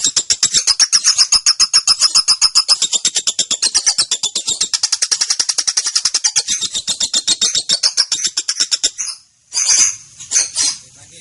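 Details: Young female lovebird in the long 'ngetik konslet' ngekek style, used as tutor and lure audio for other birds: a rapid, high buzzing chatter of fast pulses for about nine seconds, breaking off into a brief gap and a few scattered chirps.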